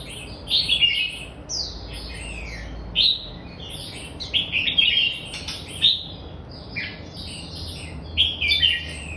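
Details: Red-whiskered bulbul giving bright, chirpy, slurred whistled phrases at high pitch, short bursts repeated every second or two over a steady low background hum.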